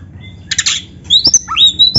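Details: Short burst of oriental magpie-robin (kacer) song: a rasping harsh note, then high clear whistles that rise and hold steady, with a couple of sharp clicks.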